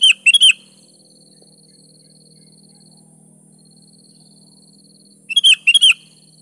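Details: Sooty-headed bulbul in vigorous 'gacor' song used to draw replies from other bulbuls: rapid chirpy triple-note phrases opening and closing the stretch, with a low steady hum beneath.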